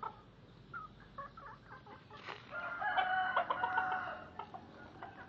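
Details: Serama chicken with batik-patterned plumage, kept as a hobby bird, crowing: a drawn-out, harmonic, slightly wavering crow lasting about two seconds, preceded and followed by short, soft clucking notes.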